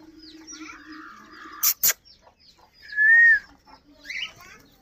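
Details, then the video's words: Talking Alexandrine parakeet, locally called raw or Kashmiri tota: soft harmonic voice-like sounds, two sharp clicks, then a clear rising-falling whistled note in the middle, followed by quieter chatter. "Beautiful toking Raw Alexdrin parrot Bolny Wala Tota Raw Kashmire Tota"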